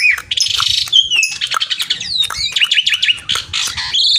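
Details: Jalak suren (Javan pied starling) calling a rival in energetic song: harsh rasping bursts mixed with looping whistled notes and a quick series of repeated rising chirps, with faint low rumble beneath.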